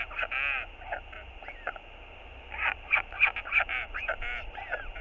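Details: A hungry northern royal albatross chick keeps begging its father for food: rapid, raspy, honking squeals in broken runs, some drawn out and wavering, rising and falling in loudness over a low background hum.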